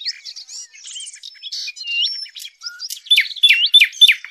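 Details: Sylvia warblers in a recording used as a hunting lure. Thin chirps and short rising whistles open the sequence, followed by loud, sharp upswept notes repeated about every quarter second.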